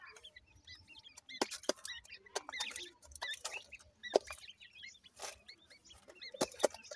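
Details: Partridge chicks playing: clusters of brief arched peeps come in quick runs, broken by loud snapping clicks and scratchy taps.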